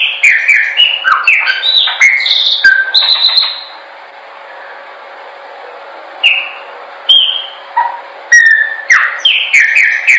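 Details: Chopi blackbird in song, intended for training birds to sing: a rapid opening cascade of varied whistles and chips, a quiet pause with a faint hum, then sparser whistled notes building back into quick phrases.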